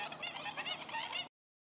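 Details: Black-winged stilts (Himantopus himantopus) in spring at a stork and duck centre in Racconigi give a rapid run of nasal, yelping notes, several birds overlapping in a harsh, cackling chorus for just over a second.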